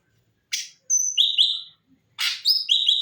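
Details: Bulbul singing actively in its natural voice, a varied song used as a model for training other songbirds: a harsh chirp, then clear whistled notes held level and slurred downward, then a second chirp and a further string of whistles.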